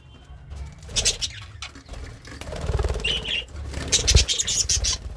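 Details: Happy budgerigar kept as a pet, eating greens, with scattered buzzy chirps, a brief whistled note and a scratchy chatter burst near the end, over low rumbling noise.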